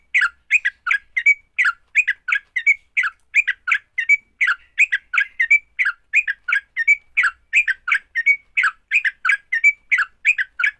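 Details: Sooty-headed bulbul fighting song meant to provoke rival bulbuls into song: a long, rhythmic run of paired and tripled chattering notes with occasional clear whistled tones, steady throughout with nothing else audible.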